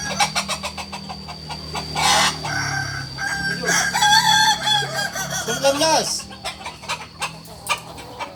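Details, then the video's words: Kukuak Balenggek chicken at a Sunday joint practice in Ampang Kualo: a long, level crow that ends in a falling, wavering tail, framed by rapid clicking taps and crowd noise. "ayam kukuak balenggek"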